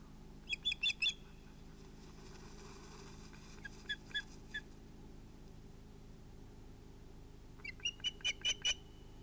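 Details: At sunset on 11 August 2018, ospreys at a nest call around an evening fish delivery, giving three bursts of quick, high chirps separated by pauses over a low background hum.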